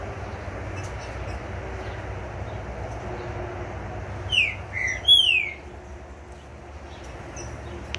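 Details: A green-winged saltator, just through its moult, gives three ringing whistled notes in quick succession, the last a long downward slur, against constant low noise.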